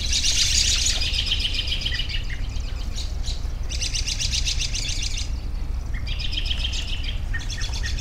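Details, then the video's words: Overlapping bird chirps and trills, loudest at the start, then further bursts of high twittering, with a steady low rumble beneath. "10 Minutes of Bird Sounds for Relaxation"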